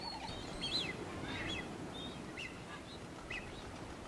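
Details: Genovesa ground finch on Genovesa, Galápagos, Ecuador, in May 2012 gives short, thin chirps at irregular intervals with a few brief rising notes, over steady low wind or surf noise.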